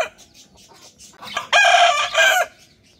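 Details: Morning farm rooster giving a two-part crow, a long harsh harmonic note followed by a shorter one that drops at the end, preceded by faint low noises.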